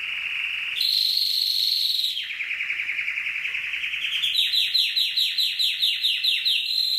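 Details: Canary song, part of an Indonesian long-play compilation of champion birds mixed with calming water trickle: high sustained whistle, a stepped buzzy roll, then a rising series of quick evenly spaced trilled pulses.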